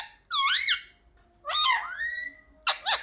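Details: Talking pet parrot being taught "mummy papa" gives two voice-like syllables, the first arched and the second sliding down into a long even tone, then two short harsh squawks.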